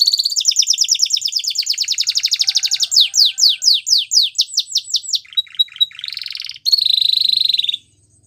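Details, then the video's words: A canary delivers its training song as a long rapid trill that slows into evenly spaced, sweeping chirps, followed by a short buzzy phrase and a steady ringing note. "Canary Bird Singing | The Best Canary Training Song"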